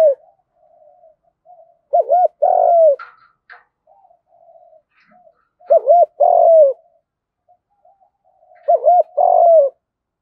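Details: Spotted dove giving a Vietnamese-style fighting coo used as a lure, in the "giọng đồng" voice: three loud bursts of paired rising-falling coos about every three and a half seconds, with soft murmuring coos between them, in a quiet setting.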